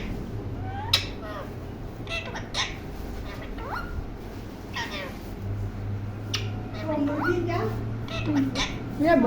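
A blue ringneck parakeet chatters in short, scratchy, speech-like phrases broken by sharp clicks and squeaks, over a steady low indoor hum.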